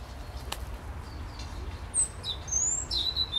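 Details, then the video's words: European robin singing from bushes in Skarszewski Park on 15 November 2020: thin, high whistled phrases that slide up and down, growing stronger and more varied in the second half, over a soft low rumble with a single sharp click early on. "Śpiew Rudzika w krzakach w Parku Skarszewskim"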